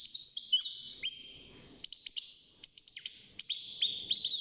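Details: Young caged European goldfinch, six months old, beginning to sing: rapid high twittering phrases of sliding whistled notes and buzzy trills, continuous and tinkling, with faint low room noise beneath.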